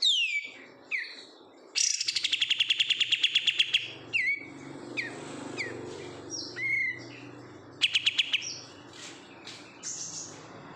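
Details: Song of a captive oriental white-eye reared from a wild-caught bulk-bought bird: downslurred chirps, a long fast rattling trill of about fifteen notes, then scattered high sliding whistles and a second short trill later on.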